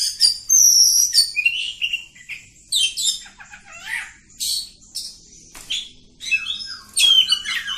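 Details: Oriental magpie-robin of a village type delivering long continuous song, mixing clear descending whistles, scratchy chatter and sharp high notes in a varied, ceaseless flow.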